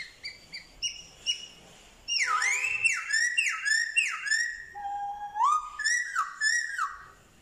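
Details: Black-throated laughingthrush from Vietnam, 15/10/2021, in training for wild-style song, known for copying dogs, cats and chickens; short soft whistles, then a loud run of about a dozen swooping whistled notes, each dipping and rising, roughly three per second.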